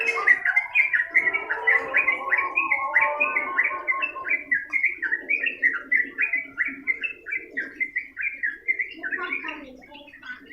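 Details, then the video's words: Sooty-headed bulbul in long, continuous gacor ngedur singing: a steady run of short, clipped notes repeated about three or four times a second. A lower, warbling chatter sits beneath during the first five seconds. "burung trucukan gacor ngedur durasi panjang"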